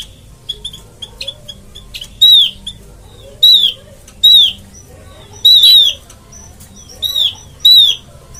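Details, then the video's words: Oriental white-eye call used as a trapping lure: loud high downslurred whistles repeated roughly every second, with softer thin chirps and faint twitters in between. "suara pikat burung opior"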